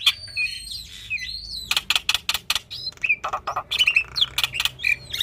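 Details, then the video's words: Black-winged starling (jalak putih) singing a varied song: wavering whistles slide up and down, then a burst of dry rattling clicks, followed by more warbled whistles and harsh notes, with a faint low hum behind. "Jalak Putih Gacor Full Isian"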